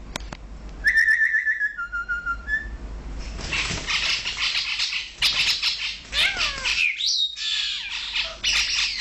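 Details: Brahminy starling couple, male and female, in Kuwait: a few clear whistled notes, a short steady whistle, then a long stretch of harsh, rasping squawks and chattering with brief descending slurred whistles.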